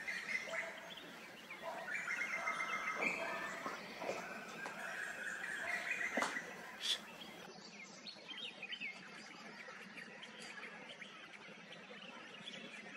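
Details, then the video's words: Asian koel calls, from male and female birds: a busy run of sharp, high, repeated notes over the first seven seconds, then quieter scattered calls against a light outdoor hiss. "Koyal ki awaaz /male and female koel bird sound/ cuckoo song"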